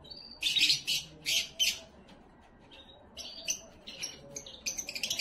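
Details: Canary song meant for training young birds and for preparing and stimulating females: loud high bursts of rapid chirps and rattling trills, a pause, then quicker repeated sharp notes speeding up toward the end.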